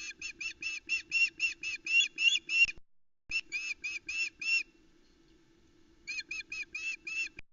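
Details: Female osprey at the Loch Arkaig nest, 17 July 2020, calling loudly as the male brings a second fish for the chicks; clear, shrill repeated cheeps, roughly three to four a second, in three long runs separated by pauses.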